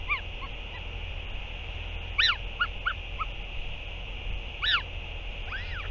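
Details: Northern royal albatross at a parent's return and feeding of a chick, 8 June 2023: a few arched, wavering nasal calls that rise and fall, spaced two to three seconds apart over steady background noise.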